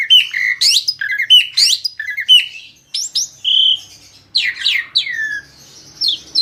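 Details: Asian pied starling song meant to draw other birds into singing: fast repeated chip-and-whistle phrases, then a held clear whistle and scratchy descending notes separated by short pauses.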